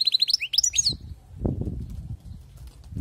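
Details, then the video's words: Wild-caught European goldfinch giving a quick run of liquid, high-pitched twittering notes that lasts about a second, then gives way to low rumbling background noise. "أسمع وركز على المقنين الخلوي كيف يغرد"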